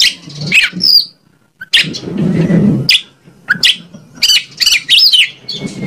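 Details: Oriental magpie-robin, known locally as kacer, singing as a lure to provoke other birds to reply: scattered high whistled slurs and clipped notes, with a steady buzzing rustle and low thumps in the background.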